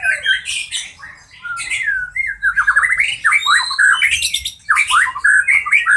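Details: White-rumped shama of the Medan type, kept for song therapy, pours out a rich, fast song of looping whistles and rapid slurred notes, with brief pauses between bursts and a quiet room-like background.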